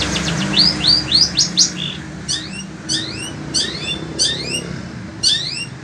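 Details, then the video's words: In scorching heat, a kept sembur-type Long-tailed Shrike from Indonesia sings on: a quick chain of upward-swept whistles, then spaced pairs of rising slurred notes, with a low hum underneath. "Burung Cendet INI TETAP MELOCOR DOR"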